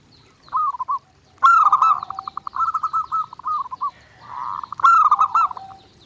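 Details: Zebra dove cooing from a clear master for daily training: a short opening phrase, a long rapid pulsed run after a bright accent, then another accented burst trailing off.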